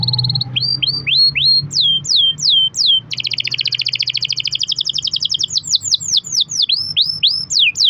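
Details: Canary song played as a lure to set other canaries singing: short steady whistles, repeated descending swept notes, a long rapid rattling trill, then more fast swept whistles, with a low hum underneath.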